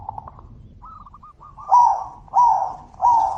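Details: Calling zebra dove, loud voice, in a back-and-forth exchange: faint stuttering coos and a soft trill lead into three strong, rising-then-falling cooing notes spaced about two-thirds of a second apart.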